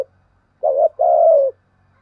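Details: Spotted dove kept as a decoy to draw in wild doves, uttering a short hollow coo followed by a longer sustained wavering coo, clean and close with a quiet background.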